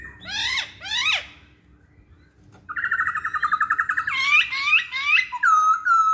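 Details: Masked laughingthrush song used as a lure for other songbirds: two rasping swept notes, a brief pause, then a fast stuttering trill and several loud swooping whistles.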